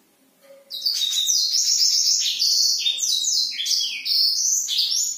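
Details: Nighttime song of a black-throated canary in full, continuous voice: rapid, bright chattering phrases of sweeping high notes that tumble quickly after a short quiet start, played to stimulate reluctant birds to sing.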